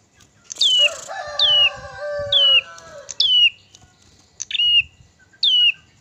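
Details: Crested tit-warbler song meant to provoke other birds: high whistles sweeping steeply downward, repeated roughly once a second, overlapping at first with a lower, drawn-out wavering crow-like call.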